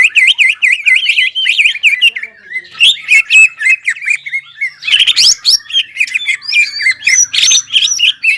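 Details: Greater green leafbird singing hard with its crest up, opening with a rapid string of repeated V-shaped whistles, then breaking into a varied, fast twittering and chattering stream of high notes.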